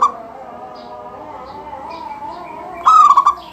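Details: Local zebra dove singing freely, used to prompt other doves into song: a clipped coo at the start, then a full bright stuttered phrase near the end, soft chirps between.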